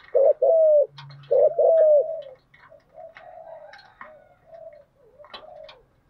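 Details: Spotted dove lure cooing used to attract wild doves: two strong coo phrases open, then fainter, softer coos follow with a faint distant call in the background.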